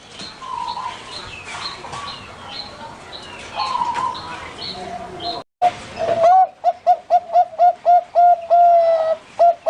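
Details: Perkutut, the zebra dove, at a bird farm in Pamekasan, Madura: after several seconds of mixed background chirping, a sudden sequence of quick, evenly spaced level coos begins and repeats rapidly to the end.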